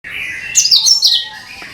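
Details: Cucak kinoi bulbul song played as a lure for all kinds of birds: a steady high whistled tone, then a loud burst of sharp, rapidly sliding notes, fading back into a quieter sustained whistle.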